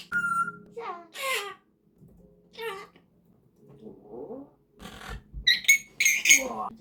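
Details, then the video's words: Captive rescue female Congo African grey parrot indoors making mimicked noises: short harmonic downward-sweeping squeaks and raspy bursts, then loud broadband squawky calls near the end, with a person's speech in between. "coughing, farting and burping her way through the day"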